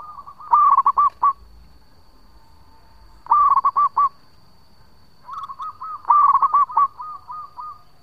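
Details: Local zebra dove, a male, singing long phrases as a lure: three loud bursts of rolling, hooting coos about every three seconds, with softer cooing between and a faint steady high whine throughout.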